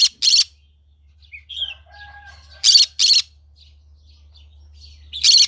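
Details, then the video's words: Morning calls of a green-cheeked conure: a pair of loud, grating screeches opens, then soft whistles and chirps, then another doubled harsh screech, and a final rasping burst at the close, over a steady low hum. "Green cheek conure singing sounds in the morning"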